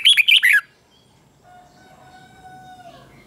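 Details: Red-whiskered bulbul in contest singing, meant to spur young birds into voice: one short burst of rapid, rolling whistled notes lasting about half a second, then near silence with faint steady tones.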